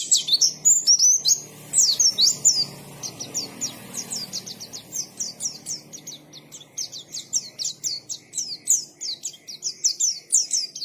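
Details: Lively white-eye song, a continuous stream of thin, high whistled chirps and quick slurred notes, denser at the start and then pulsing in short rapid phrases against a quiet background.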